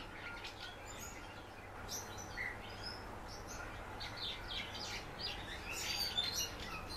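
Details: Captive common house martin twittering softly: scattered high chirps and short trills in an uneven stream, with a constant low background hum.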